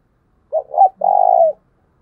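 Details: Three-part coo from a spotted dove, given as a thúc bổi call to excite decoy birds. A clipped first note and a rising second lead into a sustained burry final coo, with a faint low hum.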